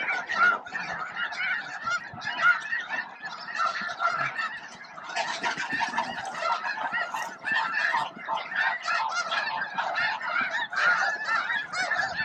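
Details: Thousands of snow geese, with a few Ross's geese and blue morphs, feed and squabble around noon at the Bosque del Apache flight deck, honking continuously in a harsh, overlapping chorus of nasal, yelping calls without pause.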